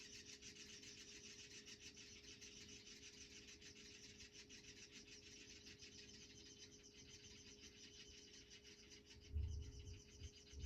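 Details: Chimney Swift nestlings in a house chimney, two or three nests, crying for food as a parent comes down to feed them: continuous raspy, rapid ticking chatter, steady low hum underneath, a few dull thumps near the end.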